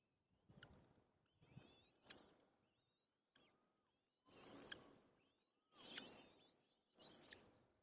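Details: White-tailed kite chicks squabbling over food. Thin, rising squeals repeat roughly every second or two, mixed with bursts of rustling and flapping noise. A few lower, short whistles appear between them.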